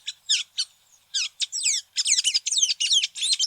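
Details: Tanager giving harsh, rapid chattering notes in dense, buzzy bursts, quickening toward the end.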